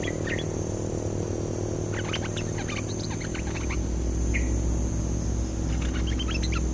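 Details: Actively singing cream-vented bulbul, recorded as a bird-luring call: scattered sharp chirps and short rising whistles, with a brief pause before a final lively burst of notes, over a constant low rumble.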